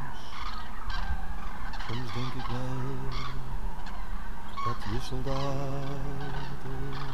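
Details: Several common cranes on 9 November 2014 give low, rolling trumpeted calls overlapping in a steady chorus, against constant loud wind or rumbling background noise.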